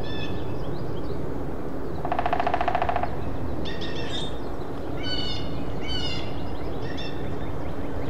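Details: Hairy woodpecker (Dryobates villosus) giving sharp, bright call notes in short bursts, with a quick one-second drum roll, over a steady low rumble of wind or distant traffic.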